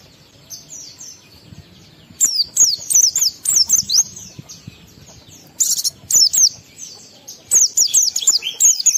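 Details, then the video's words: Oriental white-eye, a song used to stir emotion and breeding urge in other white-eyes; quiet opening, then clusters of high, sharp, downward-sliding chirps in quick bursts with short pauses. "Pendongkrak Emosi Pleci Tercepat agar Pleci cepat Ngalas gacor buka paruh || Pancingan Pleci"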